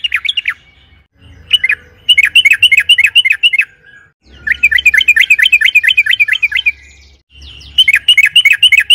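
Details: Long 'ropel panjang' yellow-vented bulbul song used to stir other birds to sing, fast bursts of tightly packed, slurred chirps, three runs broken by short pauses.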